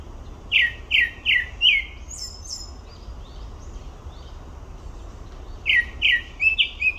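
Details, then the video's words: Grey-backed thrush singing at Olympic Park: a run of four rich, falling whistled notes, then thin high-pitched twitters. After a pause comes another series of four whistles, over constant low noise. "되지빠귀 울음소리"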